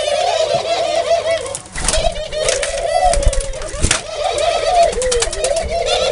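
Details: Steady low dove cooing with a trembling, bubbling quality and small pitch dips, accompanied by constant high chatter of other birds and a couple of sharp clicks.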